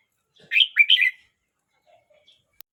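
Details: Red-whiskered bulbul song from a bird 12 months 29 days old: one loud, bubbly phrase of three rapid slurred whistles lasting under a second, followed by quiet.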